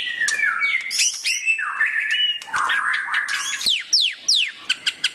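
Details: White-rumped shama singing a varied, warbling phrase of mid-pitched whistles and chatter, ending with a series of sharp, quickly falling high notes repeated several times.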